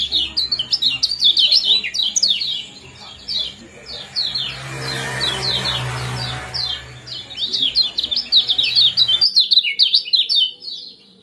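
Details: Common Iora chirping combination intended to bring birds into breeding condition. Dense runs of quick, high, sharp chirps are broken by a softer middle stretch with a low background hum, then resume briskly.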